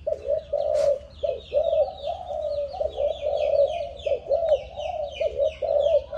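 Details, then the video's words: Seven-month-old spotted dove of Malaysian stock, bred from a stuttering decoy bird, coos steadily in low, rounded notes with brief breaks, over constant busy chirping from other small birds. "Cu gáy malaysia/chim tơ 7tháng"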